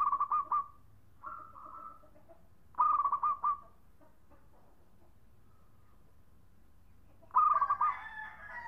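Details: Local zebra dove in the khong song style, a strong singer used as a lure: short stuttered, trilled cooing phrases of about a second, repeated at irregular gaps, with a faint low hum behind.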